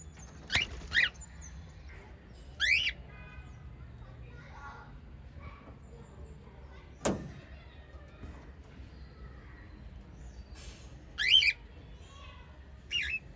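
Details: Occasional shrill rising chirps from white lovebirds, with long quiet gaps, a sharp knock and faint murmuring between the calls.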